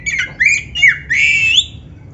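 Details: Black-breasted Oriental magpie-robin in full song, meant as a lure to start caged birds singing: a short run of bending whistled notes ending in a long rising, wavering whistle.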